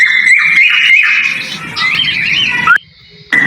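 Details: Breeding male cockatiel's mating call: a wavering, warbled whistle that rises and falls, then a brief rising note, a sudden cut to near silence and a final whistle returning.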